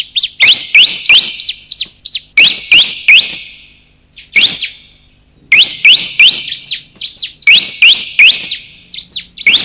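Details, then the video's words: Bar-winged prinia male and female calls used to lure birds: rapid bursts of loud, sharp, sweeping chirps, a short gap near four seconds, then denser overlapping chirps with whistled notes. "pikat suara burung ciblek"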